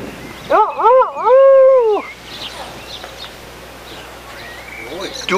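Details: Rooster at a cafe bar restaurant near Katakolo, Greece, on June 2, 2014, giving one loud cock-a-doodle-do of arched harmonic notes lasting about one and a half seconds, followed by people talking and encouraging it to crow again.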